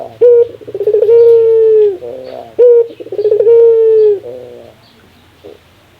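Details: Barbary dove giving its laughing call, described as the rarest sound: two rounds, each a short clipped coo followed by a long, steady, slightly falling hooted note, then a low, broken, chuckling rattle; quiet hum beneath.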